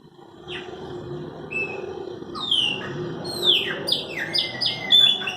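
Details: Song of Chopi blackbirds: a quickening run of loud, downward-sweeping whistles that grows denser and overlaps near the end, over a constant low background murmur.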